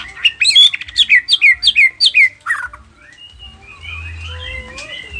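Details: White-rumped shama from Nias, noktah type, singing continuously with a filled-in song to trigger replies from other shamas. Rapid run of about eight bright, repeated descending notes, then soft warbled whistles trailing off.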